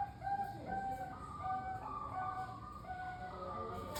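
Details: Zebra dove of the Bangkok type cooing as a lure for kept doves: drawn-out soft tonal notes alternating between two pitches, over constant low background noise.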